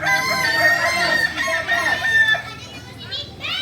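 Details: Kukuak Balenggek rooster, a native Solok singing chicken, practising for crowing performance; a long, even crow with several stepped syllables runs for over two seconds, followed by a short rising crow from another bird.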